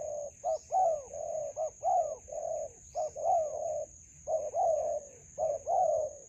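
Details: Repeated mellow coos of a spotted dove, a wild bird met during decoy trapping in a melaleuca grove, grouped as short then longer falling notes with gaps between phrases, over a steady high hum.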